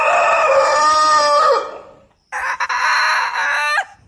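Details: Two loud rooster crows are heard. The first is long and hoarse and ends in a falling slur. After a pause, a second harsh crow starts with choppy notes and holds steady before a quick downward sweep at its close.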